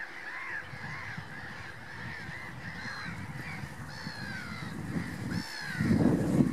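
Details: Common pochard calling within a noisy waterfowl gathering: a steady wash of overlapping mid-pitched calls, several clearer harmonic downslurred calls toward the middle, then a loud low rough burst near the end.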